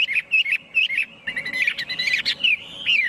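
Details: Chinese hwamei singing: repeated whistled phrases that rise and fall, then a busier warbling passage with harsher notes, closing on a drawn-out whistle.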